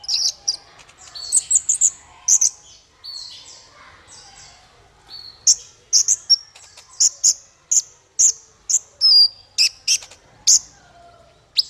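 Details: Clipped, very high chirps and short trills from a male olive-backed sunbird, recorded for training songbirds. After an irregular opening, the notes settle into a steady series repeated roughly twice per second.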